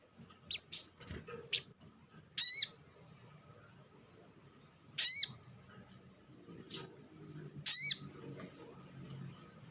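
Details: Olive-backed sunbird lure call used to stimulate other sunbirds to sing: scattered sharp, high chips and short downslurred notes, several seconds apart, over a faint low background hum.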